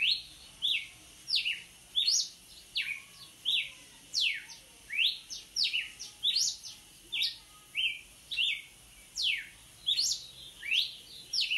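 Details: Red-cowled cardinal singing vigorously: loud, clear whistled phrases of steep falling and rising sweeps, repeated in quick succession with short gaps, over a quiet background.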